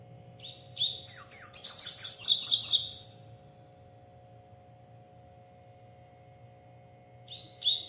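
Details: Double-collared seedeater, a bird from a breeder, singing a lot: a fast, high, twittering phrase of rapid chirps and sweeping notes lasting over two seconds, then quiet before the next phrase begins, over a steady low hum.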